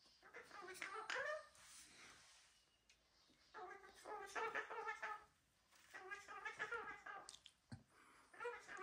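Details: One of the owner's pet cockatoos (a Gang-gang, Red-tailed black or Major Mitchell's cockatoo) gives three chattering, speech-like bursts with rich harmonics, each about two seconds, separated by short pauses in a quiet room.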